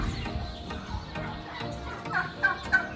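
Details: Turkey on a farm at a largely abandoned resort in Jumailiyah, Qatar, kept among over 1000 chickens, 5 March 2021, in a breeze: three quick gurgling gobbles in the last second over wind and rumble.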